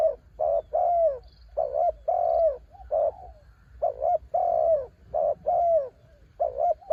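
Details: Spotted dove singing ต่อกิ่ง song, a bird described as from the mountains: clustered deep coos, some clipped and doubled, others stretched with a falling tail, in a quick uneven rhythm.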